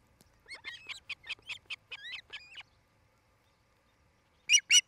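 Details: Osprey calling at a nest in Charlo, Montana, filmed by a nest cam on 07-08-2018 in the 17:00–18:00 hour; a loud run of sharp, bright chirps for about two seconds, a pause, then two more strong piercing notes.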